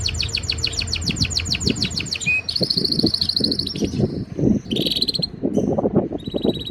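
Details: Male canary singing in breeding season, trying to impress a female: a fast, high trill of about eight notes a second, then sustained whistled phrases, over a low rumbling background.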